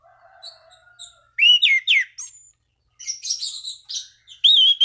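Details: Orange-banded thrush singing to call rivals and stimulate other thrushes to sing: loud, high whistled downward-slurred notes in a quick burst, then buzzy, twittering phrases and a final sustained whistle, with a faint low hum at the start.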